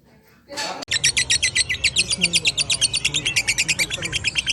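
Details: Lovebird ngekek chatter: after a short burst of noise and a click, a steady run of rapid, high, buzzy chirping pulses continues for nearly four seconds over a low background rumble.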